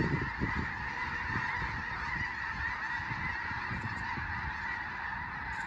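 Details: Snow Geese, a large flock rising into the air on Fir Island, Skagit Valley, Washington, as a raptor flies over; dense steady chorus of nasal honks, thick and continuous, with low thumping noise beneath.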